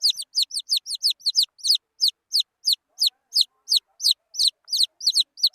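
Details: Peeping of wild chicken chicks, bright downward-sliding cheeps. A rapid cluster comes first, then evenly spaced cheeps at roughly three per second, loud and clear, against silence.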